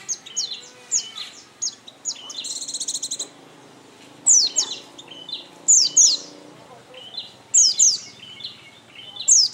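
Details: Oriental white-eye song: rapid high twittering and sharp falling chirps, broken by a brief buzzy trill early on, then spaced bursts of thin downslurred notes over low background noise.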